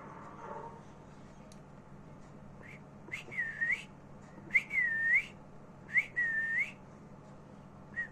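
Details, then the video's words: Rose-ringed parakeet (ringneck parrot) in India gives a few clear whistles, each a sharp upward flick into a dipping, rising note, spaced about a second and a half apart over a low hum. "Ringneck Parrot"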